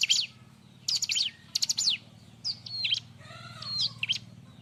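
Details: Bar-winged prinia singing loudly for use as a training and lure recording: dense clusters of shrill, rattling high notes, then a twisting whistled phrase and short flicked chirps, with steady low hum beneath.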